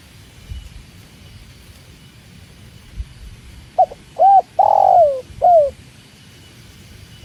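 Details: Spotted dove, or tekukur, beside water. After several quiet seconds of low murmur, one phrase of mellow coos arrives: short, arched, long and descending, then falling. A single clipped note begins the next phrase.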